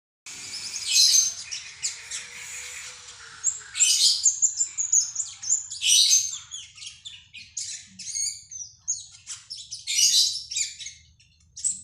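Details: Cak keling, said to sing often through morning, midday, afternoon and night since being fed catfish pellets: loud, high, scratchy chattering phrases in dense bursts with short pauses, over a faint low hum.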